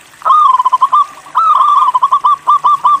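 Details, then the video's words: Local zebra dove song recorded as a training lure to get other doves singing: two rapid phrases of bubbling, staccato coos, the second ending in evenly spaced rolled notes. "MASTERAN PERKUTUT LOKAL GACOR UNTUK MACET BUNYI LANGSUNG NYAUT"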